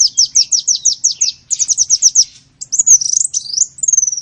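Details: Small-bird calls used as a lure: a fast run of sharp descending chirps in two bursts, followed by a higher twisting whistle that trails off in a thin level note.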